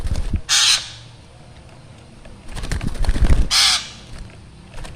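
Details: Black drongo, described as calling actively with a frightening voice: two harsh, rasping, broadband bursts about three seconds apart. Low rumbling and knocking noises fill the gap between them.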